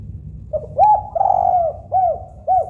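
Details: Local spotted dove song phrase: a clipped opening note, an arched coo, a prolonged wavering coo dropping at its end, then two rounded rise-and-fall coos in even rhythm. Low hum in the background.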